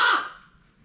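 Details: A single loud, harsh squawk from a female pet common raven, right in the owner's face indoors, sharp at the start and fading quickly.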